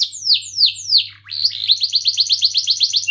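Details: Canary cuit-cuit song for coaching young canaries: three loud falling whistles about a third of a second apart, then a brisk series of short repeated chirps speeding into a rolled run, over a faint hum.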